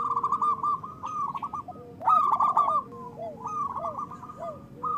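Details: Zebra dove of local type in full song, used as a lure for reluctant doves: rapid stuttering coo trills with soft lower rising-falling notes between, phrases repeating about every second, in a quiet setting.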